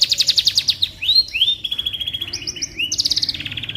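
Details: Canary singing, a recording meant for tutoring magpie robins: opens with a rapid buzzy trill, then upward-sweeping whistles, a level rattling tour and further rolling trills, all high and unbroken.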